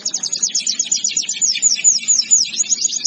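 A canary sings a fast, unbroken stream of high, bright notes, rolling trills and sweeping chirps. A faint low hum sits underneath.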